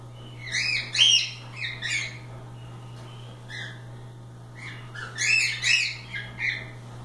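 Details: Cockatiels free in the room, playing, give runs of rapid harmonic squawks in two bursts separated by a quieter stretch, over a low hum.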